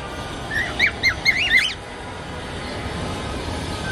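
A cockatiel gives a quick burst of bright, chirpy whistled notes, then falls quiet over a soft background hiss.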